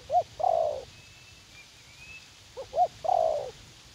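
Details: Two clear coo phrases from a young wild spotted dove keen to fight, at a garden decoy site in U Minh: quick doubled hoots leading into a drawn-out, falling coo, with a faint whistle between.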